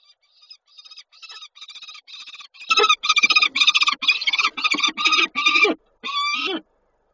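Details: Peregrine falcon at Koszalin on 9 July 2022, one falcon chasing another: a series of harsh, rasping notes repeated about twice a second. They start faint, then turn much louder and coarser after three seconds, ending with one long grating call.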